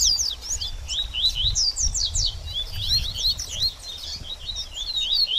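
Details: 'Baderninha' song of a double-collared seedeater for a bird after feather moult. A continuous, jumbled mix of high chips and slurred whistles runs over a steady low rumbling noise.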